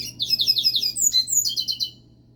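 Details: Pet double-collared seedeater in song: a fast run of buzzy, slurred high notes, then a few thin whistles and a brief bright flourish lasting about two seconds, over a faint steady hum.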